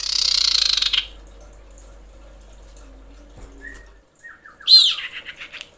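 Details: Female common iora in breeding condition calling males: a rough buzzy burst at the start, a short whistle mid-way, then a sharp rising note followed by a fading series of rapid chatter.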